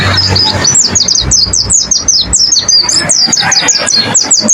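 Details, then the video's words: Caged-bird training song of a white-eye (pleci): continuous high, bright twittering with quick rising and falling slurs, notes tumbling in rapid succession throughout, over a low hum. "Masteran pleci, dengarkan suara ini pasti plecimu langsung gacor"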